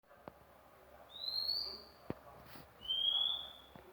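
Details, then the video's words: Newly obtained magpie-robin sounding off: two long, pure, high whistles, each slightly rising and about three-quarters of a second long, separated by a pause, with a few sharp clicks between them. "mk baru dapat dah bunyi"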